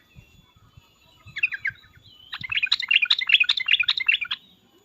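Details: Agitated Sooty-headed bulbul: a few short chirps, then a loud two-second burst of rapid, bubbling chatter, notes jumping up and down, with soft low thumps underneath.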